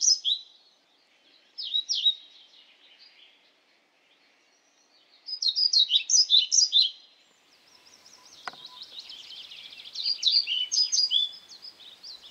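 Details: European pied flycatcher singing several short, high, jingling phrases of quick paired notes, separated by pauses, with a sharp click near the middle and faint other bird notes in the background.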